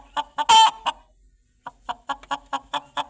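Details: Chicken clucking in quick short notes, with one loud rasping squawk near the start, then a steady run of soft clucks about every quarter second.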